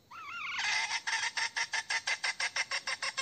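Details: A hen's koi call for a male: a rising, wavering whine leads into a quick series of gritty, evenly spaced clucks.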